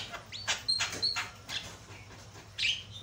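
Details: A Javan myna, used as a lure bird, sings loud, varied bursts of harsh, scratchy chatter mixed with short high whistles and one rising whistled note, roughly every half second.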